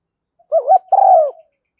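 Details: Female spotted dove decoy call used to excite lure birds and attract doves, in the thúc gù and gáy gọi styles: a short wavering two-part coo followed by a longer, falling, throaty note, with clean silence around it.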